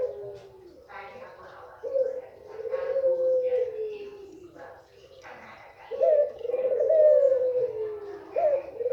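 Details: Rolling, purring coos from a white female Barbary dove, said to stir males into breeding mood, two long coos separated by a lull, with bursts of other noise in the background.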